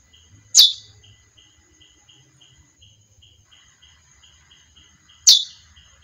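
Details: Female chestnut-bellied seed finch with two brief, piercing chip notes about four and a half seconds apart, over a gentle repeated ticking and a constant high whine.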